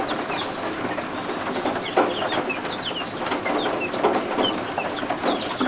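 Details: Newly hatched guinea fowl keets, sheltering under a heat lamp, keep up a scattered chorus of shrill, short, falling peeps. Rain pours steadily outside, with a few soft bumps.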